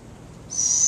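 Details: Barred owl, a female kept in an enclosure, making noise when an animal keeper enters: a sudden piercing, even, high whistled screech that starts midway and carries on to the end.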